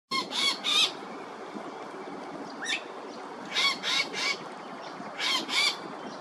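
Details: Blue-faced honeyeater at Coomera River Causeway, Gold Coast, Queensland, giving harsh, squawking calls in short bursts of two or three, repeated every second or two over steady background noise.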